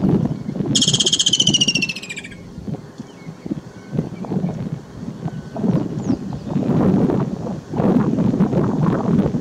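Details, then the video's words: A Woodland Kingfisher, a summer migrant, near Crooks Corner in Kruger National Park gives one loud, high, rapid trill that runs down in pitch over about a second and a half, followed by low engine or wind rumble. "Woodland Kingfisher (Halcyon senegalensis) Bird Calling"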